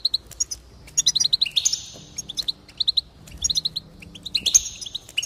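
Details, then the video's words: Goldfinch singing, used to encourage another goldfinch to sing: rapid tinkling chirps and short buzzy trills, tumbling in quick bright runs with brief pauses between. "increase the enthusiasm of the goldfinch and encourage it to song"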